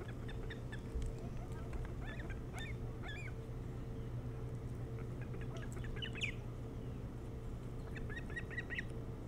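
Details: Osprey at the nest on Hog Island near Bremen, Maine, recorded by nest camera in early morning, 3 July 2018: scattered bouts of high piping chirps, some slurred and rising, against a continuous low hum.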